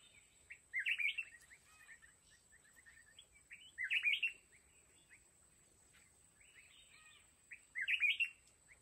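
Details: Red-whiskered bulbul singing as a decoy in a trap for wild mountain bulbuls: three bursts of bright, bubbling warbles about three and a half seconds apart, joined by quieter chirps and twittering notes.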